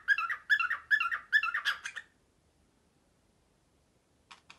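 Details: Indoor pet cockatiel, male, mimicking a printer early in the morning; five even, grating double pulses in quick rhythmic succession, then silence and a short final burst.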